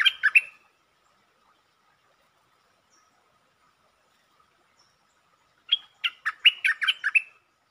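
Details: Streak-eared bulbul song from a 13 February 2023 session of long and doubled songs: a short bubbly phrase at the start, a long silence, then an extended warbling run of about eight quick chattering notes.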